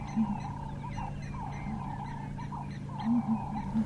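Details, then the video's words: A pair of Southern Ground Hornbills giving contact calls to each other while feeding through the bush on a live safari drive: deep booming notes in short bursts, with steady vehicle engine hum and insect-like buzzing behind. "quiet for a second listen to that"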